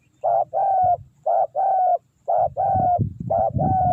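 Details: Spotted dove used as a lure bird to draw wild doves, giving loud repeated cooing phrases: a short coo followed by a longer drawn-out coo, about four phrases in four seconds, with low rumbling background noise.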